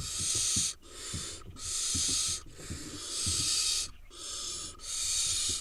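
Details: Several wild barn owl nestlings in an Israeli nest, eight in the brood, producing long harsh hisses, roughly one second each, repeated steadily with short pauses, over faint low knocks and shuffling.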